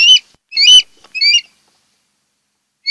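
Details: Osprey at a Kent Island, Maryland nest in August 2018, one of a mated pair: three sharp whistled upslurred notes with some scratchy noise, then silence and one more whistle at the end.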